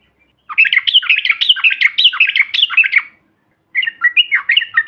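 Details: Loud yellow-vented bulbul chatter meant to provoke other birds: a long burst of fast bubbly notes, a pause, then a shorter run of slurred chirps.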